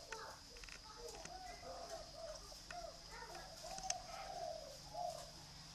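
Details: Captive dove in Ba Vì, Hanoi, Vietnam, uttering a run of low, soft, burbling coos that swell and fade over several seconds, with scattered clicks and light background hiss.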